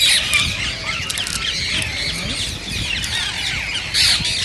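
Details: Many rose-ringed parakeets screeching together, their voices said to stimulate singing and mating in others; a constant harsh, high chatter with brief louder bursts at the start and end.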